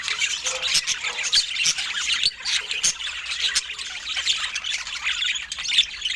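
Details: Budgerigars feeding in natural Scandinavian light. The sound is a dense, continuous high chatter of overlapping chirps and squawks, with scattered sharp clicks and light trickling noises underneath.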